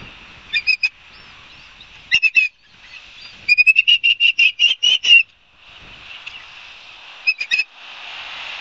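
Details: Ospreys calling at Barnegat Light, New Jersey, September 2022: scattered pairs of high chirps, then a long rapid string of about a dozen sharp whistled notes, followed by a few more chirps over steady hiss.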